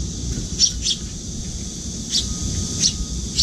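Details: Fledgling Eurasian tree sparrow, able to feed itself, still begs its parent to feed it at a window-side feeding spot; a few scattered bright chirps over low continuous noise.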